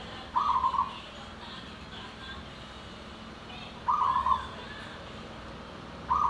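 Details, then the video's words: Zebra dove (perkutut lokal) repeats short rolling, burry coo phrases in the anggungan style about every three seconds, three times in all, over a steady hiss of background noise. "Perkutut lokal #anggungan"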